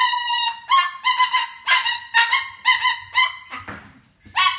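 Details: A cockatoo's raucous alarm, harsh buzzy squawks repeated about twice a second in an uneven run, ending with a rougher burst and one more squawk.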